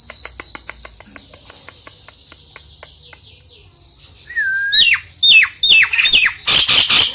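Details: Nias hill myna, played to lure a lazy myna into singing: faint clicking notes and a soft whistle, then loud, sharp whistled calls and harsh bursts repeated in quick succession toward the end.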